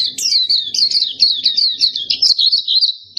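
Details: Black-capped white-eye singing one unbroken, lively phrase of rapid high wavering whistles that slide up and down, ending in a thinner sustained note.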